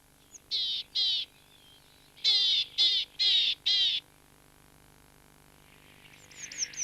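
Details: Willow Tit in British damp woodland giving its diagnostic harsh, nasal, buzzy call, first a pair and then a quick run of four, followed by a few faint high chips.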